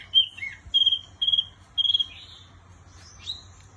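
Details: Wambi giving a few clear, level whistles with quick pulsing notes, separated by short gaps, ending with a faint high rising chirp.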